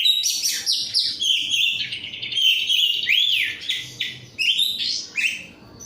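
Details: Kacer, the oriental magpie-robin, kept as an untrained hobby bird, singing a loud varied song of sharp high chips, a smooth arched whistle and warbled slurs, phrases separated by short gaps.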